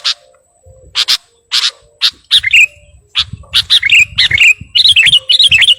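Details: Lively Sooty-headed bulbul song aimed at calling a rival: a few harsh paired bursts open, then bubbly, rapidly wavering whistled phrases build into a continuous warble; faint low background rumble.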